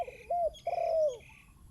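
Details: Spotted dove near a decoy bird giving a brief coo followed by one long, smooth, gently falling coo. Faint higher bird notes sound alongside.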